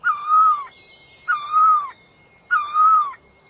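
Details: Three steady whistled calls from a bird, each a flat tonal note ending in a brief downward slur, spaced a little over a second apart against a quiet backdrop with faint high hiss.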